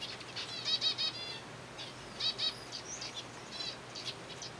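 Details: Zebra finches in a colony being fed soft food give clear, loud nasal beeps in quick runs of three or four, then scattered single calls, against a quiet background.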